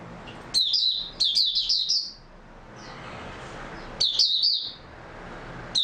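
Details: White-eye (mata puteh) recorded 3 March 2022 singing short, bright, rapid twittering phrases, two close together, then a pause before further bursts, over low steady background noise.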